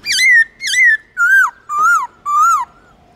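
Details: Black-throated laughingthrush song used to rekindle a pet bird's singing drive: five loud, clear whistled phrases, each a rich harmonic note that dips and rises, repeated roughly every half second against a quiet background.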